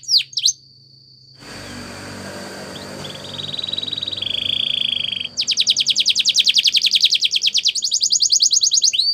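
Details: Spanish Timbrado canary training song: after two brief chirps and a hiss of noise, a faint steady trill grows into a loud, fast, repeating metallic rattle.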